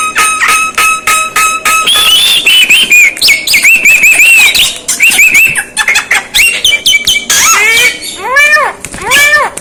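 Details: Asian pied starling producing strange sounds: evenly repeated clicking notes, then loud wavering whistles, buzzy rattles and a series of arched, rising-and-falling squeals near the end.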